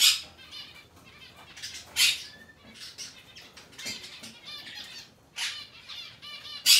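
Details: Young hand-tame monk parakeet of the aqua pallid colour variety, 22 May 2022: scattered rasping squawks and chatter, some loud and some soft, spread irregularly over several seconds.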